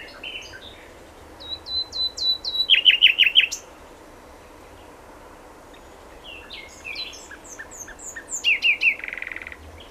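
A common nightingale sings two rich phrases separated by a pause, each built from a run of repeated clear notes and ending in a fast, throbbing trill.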